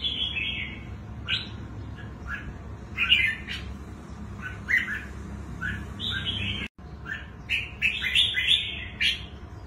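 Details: Rapid, busy warbling from a wild-caught red-whiskered bulbul known for its twisting song, phrases running almost continuously with one brief break, against a steady low hum.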